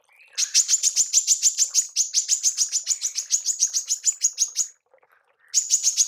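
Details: Female manggar tembakan, a call for training songbirds: a long volley of shrill, evenly spaced high chips lasting over four seconds, a short pause, then the volley starts again.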